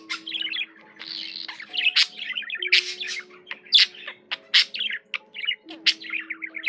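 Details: Pet budgerigar warbling indoors: a dense, fast stream of chirps, clicks and scratchy twittering notes in quick bursts, with sharper chip notes standing out, over steady low tones held underneath.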